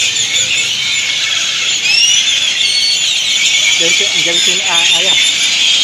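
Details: Great-tailed grackles, a large flock gathering noisily to roost in Granada, Nicaragua; a dense, unbroken chorus of overlapping high squeaky whistles and sharp squeals, with a brief lower voice-like sound near the end.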